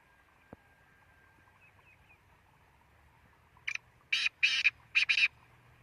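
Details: Black francolin giving its grating call after a quiet lead-in: a brief first note, then two long harsh rasping bursts and a rapid paired ending, with faint low background hum.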